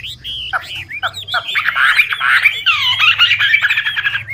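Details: Old wild Chinese hwamei song to stimulate young birds; a few separate slurred whistles, then a dense jumbled warble of overlapping notes, with a low hum underneath.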